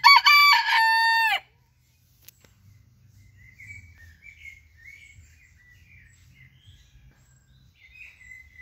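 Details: Rooster crowing: a loud, strained, wavering crow runs for about one and a half seconds and ends abruptly, then quiet small-bird twitters and chirps continue over a low outdoor hum.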